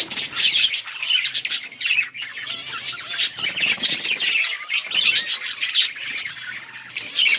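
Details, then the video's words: Budgerigars playing with one another, loud rapid chirps and raspy squawks from several birds overlapping, with short pauses and bursts of scratchy chatter. "Budgies chirping sounds and playing with each other"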